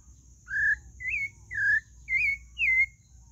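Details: Pale-breasted thrush whistling five notes about half a second apart, some level, some slurred upward or downward, clear and unhurried over a soft background hum.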